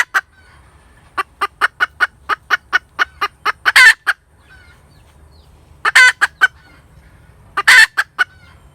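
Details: Cackling hen: a steady run of short clucks builds to a long harsh squawk, and after a quiet gap come more drawn-out squawks.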